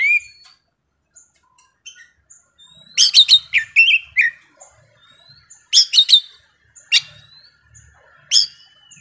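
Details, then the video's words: Intense singing from a young forest-caught Oriental magpie-robin: sweet rising and falling whistles between loud clustered bursts of sharp chattering notes, separated by short pauses. "KACER MUDA HUTAN GACOR KONSLET"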